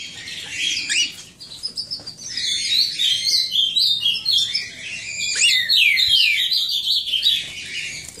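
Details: Cockatiel chicks at a breeder's aviary giving dense, raspy, hissing high calls, several voices overlapping in rapid bursts of roughly three or four a second, with some sharper squeaky notes and scratchy down-slurred notes near the middle.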